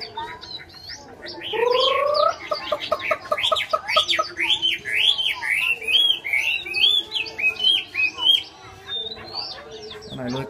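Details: Chinese hwamei in full song: after soft opening notes and a lower rising whistle, a long series of repeated, evenly spaced upward-slurred whistles rolls on for several seconds, ending in scattered chips.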